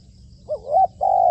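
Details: Spotted dove used as a trained decoy, being trained on a roof: a brief low coo rising into a second coo, then a sustained steady coo at the end.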